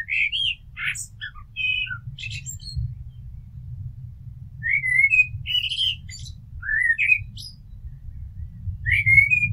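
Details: Blackbird song as a run of short mellow warbled phrases, each rising and twisting, mixed with high scratchy chirps, with a steady low rumble beneath.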